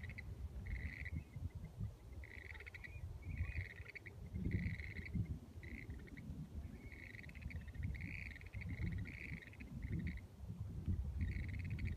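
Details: Western grebes in San Francisco Bay, 2015, give high, grating two-part calls in quick repeated bursts, roughly one every second, over a steady low rumble of wind or water.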